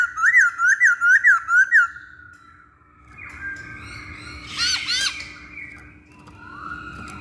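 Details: Masked laughingthrush lure song to encourage other birds to sing: six loud, looping whistled notes about one every third of a second, then a quieter harsh scratchy burst and a soft whistle.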